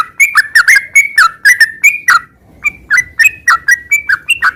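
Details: Loud, fluent sooty-headed bulbul song of the 'gacor ngeropel' type: quick bursts of liquid whistles, flat and falling notes linked in runs, with a pause of about half a second before the phrases resume.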